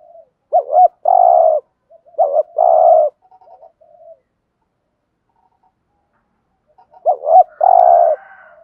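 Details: Spotted dove decoy bird kept caged to draw in wild doves, cooing in three phrases, each a pair of short bent notes followed by one sustained mellow coo, with faint soft notes between.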